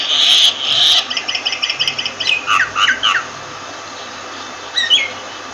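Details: Myna opening with a loud grating squawk, followed by a fast series of clipped repeated notes and a few fuller whistled syllables, then a quiet pause and one last short whistle.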